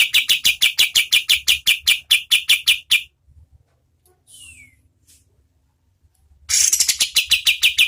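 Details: Energetic oriental white-eye, used as tutor song for competition birds, singing fast runs of crisp, high chirps for three seconds, then a quiet gap with one thin descending note, before another rapid chirping burst resumes.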